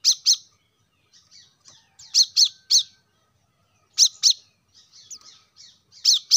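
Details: Plain-throated sunbird song, played to get lazy caged birds singing: pairs and triplets of piercing high chirps every couple of seconds, with soft twittering notes between them.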